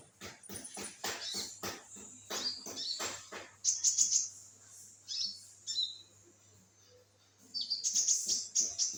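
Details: Energetic olive-backed sunbird song: very high, thin trills and squeaks come in short bursts, opening over a string of sharp clicks, pausing briefly, then returning as bright chirping phrases.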